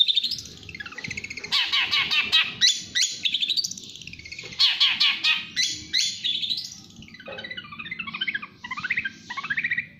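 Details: Long-tailed shrike, a national champion bird, singing rapid speed-style song: harsh buzzy rattles in bursts, clear high whistles and, near the end, a quick run of bubbling varied notes.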